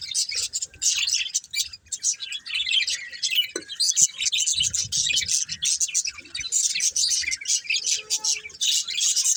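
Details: Colourful budgerigar breeding pair keeping up steady, high, gritty chatter of rapid twittering notes across the whole stretch, with faint low bumps underneath.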